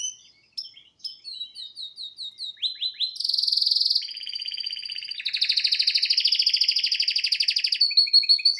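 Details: Male pet canary singing indoors while watching a screen: clipped chirps, a loud buzzy tour, then a long fast rolling trill ending in twittered notes.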